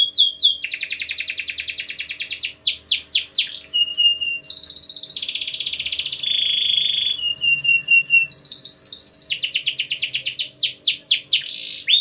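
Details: Long continuous canary song played to get other canaries singing, mixing rapid buzzy trills, steady flat whistled notes and high chattering rolls, shifting between tours every one to two seconds with almost no pauses.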